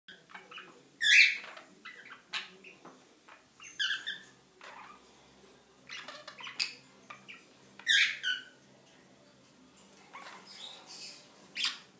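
Cockatiels give harsh, screechy squawks and short chirps at irregular intervals indoors.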